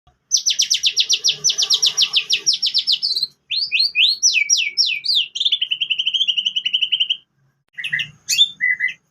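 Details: White-rumped shama song with canary phrases, used as a lure: a fast, high, buzzy trill of many rapid notes, then sharp downslurred whistles, then a steady lower trill and a few scattered chips.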